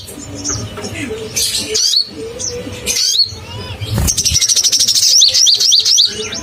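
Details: Crimson sunbird, a lure to provoke caged birds: scattered high chirps and a lower whistled note, then a sustained rapid high trill with hooked notes repeated briskly.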